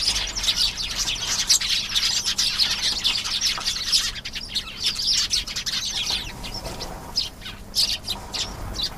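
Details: Canary singing a long, dense song of rapid high trills and chirps, nearly continuous for nine seconds with brief changes of phrase, fairly loud over a faint low background hum.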